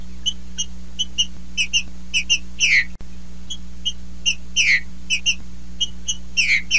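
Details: Song of a female green-winged saltator singing in male fashion: paired whistled notes repeated steadily, swelling into loud falling slurs, with a constant electrical hum beneath.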